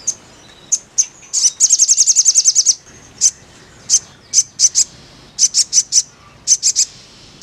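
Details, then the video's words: Crimson sunbird song for prompting birds to sing: a few thin chips, a rapid high trill of a dozen notes, then scattered piercing chips in pairs and triplets. "TERAPI BURUNG SOGON BIAR CEPAT GACOR"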